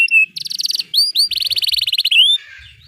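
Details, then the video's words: Canary song for tutoring young birds learning to sing: a clear whistle, a rapid buzzy rattling trill, two upward slurred notes, then a long fast roll of pulsed notes ending in a rising whistle. "Kenari GACOR PANJANG Cocok utk Terapi Kenari Macet, Masteran Kenari Paud Belajar Bunyi"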